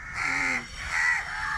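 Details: Many crows calling loudly and harshly near a young crow that has fallen from its nest; two drawn-out, hoarse caws, each about half a second long, with voices nearby.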